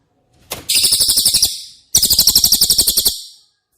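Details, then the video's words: Two quick bursts from a cililin, used to train caged White-rumped shamas: each a rapid trill of sharp, very high pulsed notes about a second long, separated by a short pause. "Masteran CILILIN Materi Wajib untuk Burung Murai Batu anda!!"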